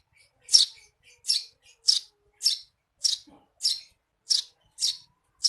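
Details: Eurasian tree sparrow calling in 'receh' fashion for songbird tutoring: about nine bright, scratchy chirps in quick succession, nearly two per second, some preceded by soft short notes.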